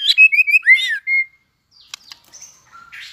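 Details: White-rumped shama coming into fighting condition, flicking its tail while singing competitively: a one-second burst of rapid, varied whistles and slurred notes, followed by quieter clicks and soft scratchy sounds.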